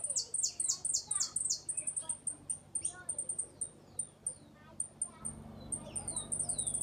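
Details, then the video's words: A hooded siskin (Uruguayan type) sings a "repique golpe pito" song: a rapid, very high twittering of thin descending whistles and sharp trills, several notes a second, with a low hum behind. "Jilguero uruguayo repique golpe pito"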